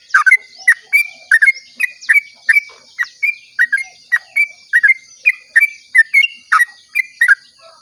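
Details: Sooty-headed bulbul singing at dawn to lure other bulbuls into song: an unbroken chain of sweet, bubbling whistles and clicks, nearly two notes per second, some slurred upward, over a steady faint background hiss.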